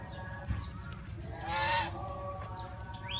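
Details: A single rough, drawn-out honk from geese at Preah Chhor pagoda, Prey Veng Province, Cambodia, rising out of a low rumbling background, with faint high whistled notes from other birds before and after.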